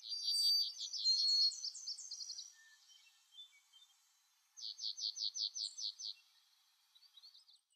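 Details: Boreal Chickadee in the Maine boreal forest calling in two bursts of rapidly repeated, buzzy high notes, each run lasting about two seconds, with faint thin calls in between.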